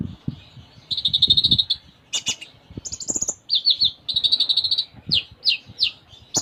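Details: Konin (kolibri ninja), a Ruby-cheeked sunbird, singing vigorously in a full isian style rich in inserted phrases: high rattling trills and buzzy bursts alternate with sharp downslurred notes, with faint low thumps beneath.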